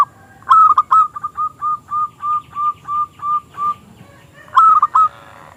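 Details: Zebra dove, a local perkutut with a small crystal-clear voice, singing to draw rival doves into song: a trilled opening, then a regular string of about ten short coo notes roughly two per second, ending in another trill.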